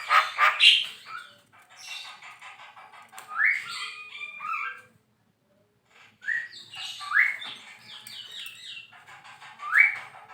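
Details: Javan myna, called jalak kebo, in full energetic song used to tutor other songbirds: bursts of squeaky rising whistles and scratchy chatters, broken by a short silence, then more upswept whistled notes.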